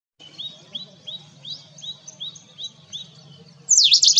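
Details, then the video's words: An Indian robin repeats short, high, upslurred chirps about three times a second, then gives a sudden louder, harsher burst of even higher notes. "Indian Robin Bird Call"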